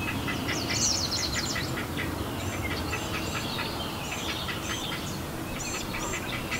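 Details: Great blue heron chicks in sibling rivalry give rapid, harsh clacking chatter, about two notes a second, over a steady low rumble of background noise.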